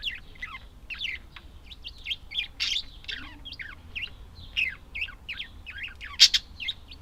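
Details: Budgerigar chatter: a fast stream of scratchy, slurred chirps and twitters, with one loud harsh squawk near the end.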